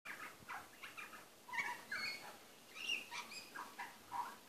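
A butcherbird sings quietly to itself in a rambling string of short fluty notes, chirps and soft chatters, with brief pauses between phrases.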